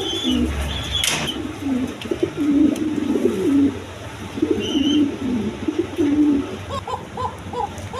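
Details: Pigeons on a farm full of eggs and chicks, low rolling coos repeated every second or so, one loud clap early, and a run of short higher chirps near the end.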